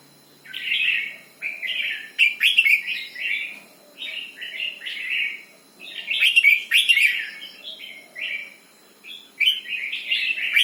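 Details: 'Berl'-style song of a red-whiskered bulbul: lively chattering warbles in several phrases, each loud accented burst followed by a descending run of mellow notes, repeated briskly.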